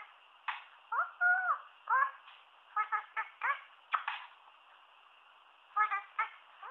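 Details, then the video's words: A talking one-year-old male Indian ringneck parakeet speaks English in short, clipped, speech-like phrases with a slightly nasal, buzzy tone, in bursts separated by brief pauses, indoors. "Talking Indian Ringneck parrot"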